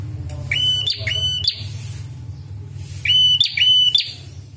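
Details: Red-headed prinia calling, for training and luring birds: a burst of rising, buzzy whistles held on a high tone, a quiet pause with low hum, then another similar burst.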